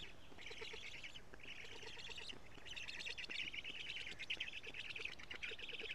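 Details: Black stork at a nest in Karula, Estonia, filmed by a live nest camera on 14 June 2017 at 17:55 while an adult feeds big fish; rapid raspy pulsed calls in bursts, growing more continuous after three seconds.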